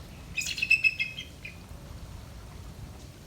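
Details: Captive American bald eagle pair, female and male, at a zoo; a quick series of thin high chittering notes, about five in under a second, far from a majestic squawk, over low background rumble.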